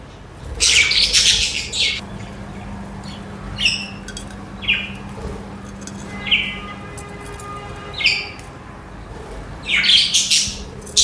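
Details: Chirping budgerigars chatter in short scratchy bursts, with a dense noisy cluster at the start and end and single sharp rising chirps spaced about a second apart between them, against a quiet background hum.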